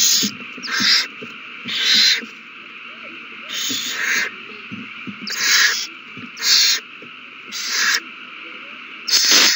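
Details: Owls at the nest in a renewed frenzy over a mouse, recorded March 21, 2020. A rapid run of seven or eight harsh hissing screeches, some doubled, about one per second, over soft scratching and a steady hum.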